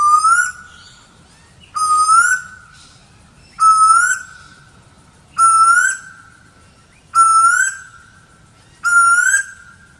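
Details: Asian koel calling loudly: six rising, two-part whistled notes about half a second long, spaced roughly every 1.7 seconds, with near silence between them.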